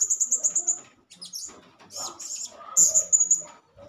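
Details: A blue-crowned hanging parrot calling, used as a lure to provoke other hanging parrots, gives rapid, very high, thin squeaky notes in quick bursts, with a brief pause before more shrill chirps.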